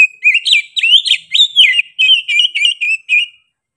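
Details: Oriental magpie-robin singing in a sharp, persistent way. One unbroken run of about ten rich whistled notes, some swooping upward, some wavering, slowing slightly toward the end. The recording is clean.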